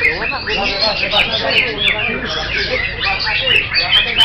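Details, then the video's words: Greater green leafbird, a caged songbird, singing a dense, continuous stream of varied whistled and chattering phrases, with faint voices and music in the background. "AKSI CUCAK HIJAU"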